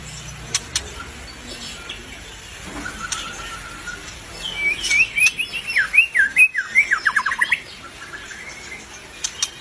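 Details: Albino white-rumped shama in full song. After a quiet stretch with faint clicks and a soft whistle, a burst of rapid whistled notes sweeps up and down in quick succession, then fades back into low background hiss.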